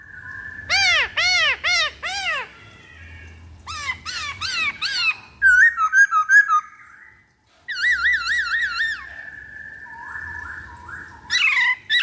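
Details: Black-throated laughingthrush lure song: repeated loud arched notes in quick bursts, a spell of short bright chirps, a wavering vibrato whistle and a long flat whistled note, with low background hum.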